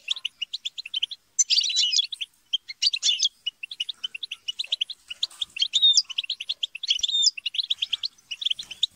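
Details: Several European goldfinches bickering together to stimulate song; continuous chirpy twittering with harsh dense bursts near two and three seconds and thin sliding whistles later on.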